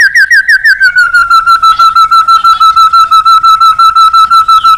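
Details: Male white-rumped shama from Indonesia in full agitated song, played as therapy to stimulate other birds: a long rapid rattle of even, slightly buzzy notes repeated about three per second, steady and unbroken.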